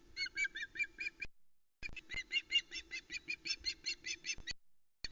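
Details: Juvenile female osprey on the Loch Arkaig nest, 1 September 2020, squawking over a huge whole trout brought by her father before flying off with it: rapid, insistent series of harsh repeated calls, broken by a short gap.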